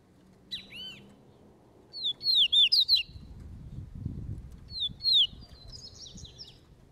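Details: Double-collared seedeater training its song while loose, giving clear high whistled slurs and quick chirped phrases in two bursts, over steady low rumbling background noise.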